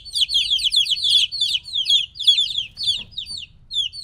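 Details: Chicks roughly three weeks old, apart from their mother, peep rapidly: clustered shrill descending chirps at first, thinning to spaced single peeps toward the end.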